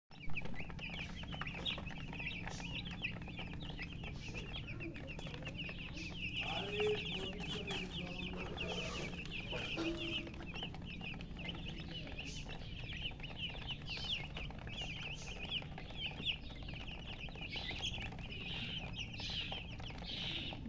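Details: A brood of baby chicken chicks peeps constantly, a dense chorus of high, thin cheeps, said to be calling from thirst for drinking water.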